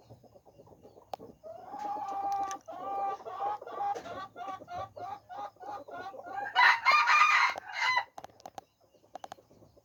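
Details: Red junglefowl in a zoo, 13 September 2021: a run of short, even clucking notes rising in intensity, then a loud, harsh crowing burst near the end before quieter sounds resume.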